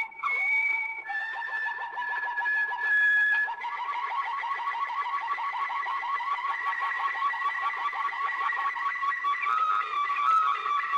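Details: A Waterslager canary on an old recording from Belgium sings continuously in low, liquid, bubbling rolls and gurgling tours, shifting between steady trilled phrases throughout.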